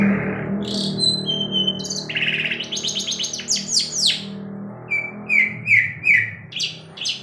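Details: Caged long-tailed shrike still singing actively at night while flicking its tail: a varied run of high whistles, rapid buzzy trills and short rising chirps, with a steady low hum underneath.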